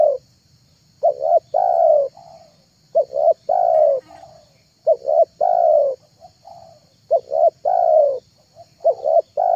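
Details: Spotted dove lure call, an MP3 used to attract wild, trained and mute doves: soft low coos in repeated phrases of two short notes and a longer drawn-out coo, about every two seconds, with a faint steady hum.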